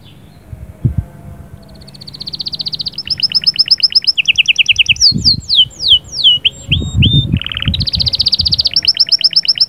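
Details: Canary singing, described as a powerful bird with rolling trills meant to ready a female: fast buzzy high trills and sweeping whistled notes, repeated in bursts, with some low thumping noise underneath.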